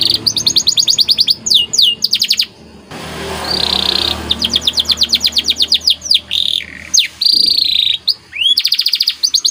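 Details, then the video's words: White canary singing a lively training song with rapid repeated high chirps and descending sweeps, broken midway by a few seconds of rushing broadband noise before the fast trills resume. "CANARY Gacor Cengkok Istimewa"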